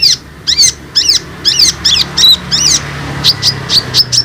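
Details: Olive-backed sunbird chirps meant to stimulate untrained and group-kept sunbirds: a steady series of sharp, bending high notes about twice a second, shifting to shorter, thinner tweets near the end.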